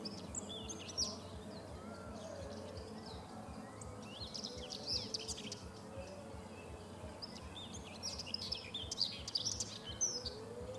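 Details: Wild common whitethroat singing by the Sava riverbank at Prečko, Zagreb, Croatia, on 3 June 2017: short scratchy, chattering phrases repeated through the clip over steady low hum and background noise.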